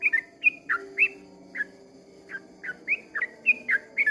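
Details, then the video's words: Sooty-headed bulbul in its long 'ropel' dawn song, a run of clear whistles, some dropping and some rising, in uneven bursts with brief gaps, over a low humming background. "kicau suara trucukan ropel panjang di waktu fajar"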